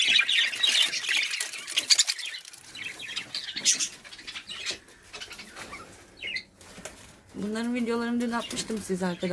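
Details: Budgerigars kept and bred at home as a hobby give a dense, continuous chatter of high, scratchy chirps and warbles for about seven seconds, followed by a person speaking close by.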